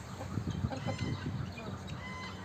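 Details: Chickens at a zoo in a group of five hens give soft, low, irregular clucks, several short pulses in quick succession, over a quiet background hum.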